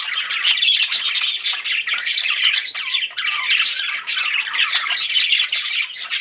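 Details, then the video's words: Several pet budgerigars chirping together indoors: a dense, continuous chatter of rapid warbles, squawky notes and short whistles with no pauses. "CUTE PET BUDGIES CHIRPING"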